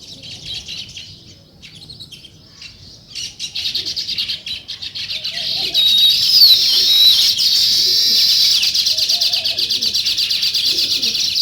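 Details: Morning chorus of sparrows: scattered high chirps build into a steady, loud, unbroken chatter of many overlapping twitters, with flutters of wings audible.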